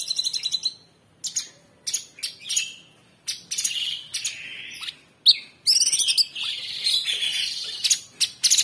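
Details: Caged Orange-bellied Leafbird singing a 'tembakan' burst used to train cage birds: varied high twitters, short slurred whistles and chattering fragments separated by brief silences, growing denser toward the end.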